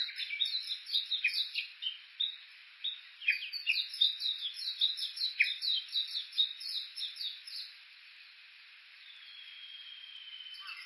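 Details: Japanese bush warbler at the foot of Mt. Yakushi, Kuka, Suo-Oshima, Japan, Olympus Voice-Trek V-82: a dense, rapid flurry of chirps lasting several seconds, then quiet with a faint thin tone.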